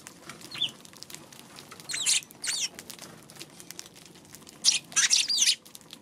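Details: Eurasian tree sparrow recorded on 2 March; short bursts of high, scratchy chirps, a lone note early, then a pair near two seconds and a tight cluster of four or five later, over faint background hiss.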